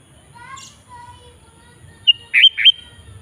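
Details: Sooty-headed bulbul used to lure wild bulbuls: a brief sharp note then a pair of loud buzzy chirps, over faint background whistles from other birds.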